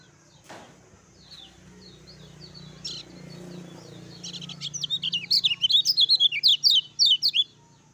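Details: Lemon-bellied white-eye song used to arouse and prompt other white-eyes to sing: a click and soft scattered notes, then from midway a loud fast volley of high, looping chirps.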